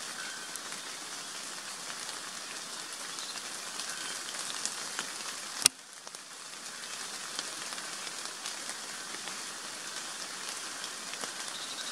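Steady rain patters across the whole recording, with one sharp click near the middle and no animal voice.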